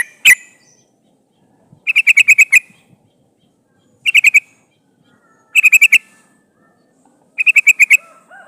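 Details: Sooty-headed bulbul female in breeding condition calling a male, used to attract wild birds for capture; clusters of four to seven quick, sharp notes repeat roughly every two seconds after a single loud opening note.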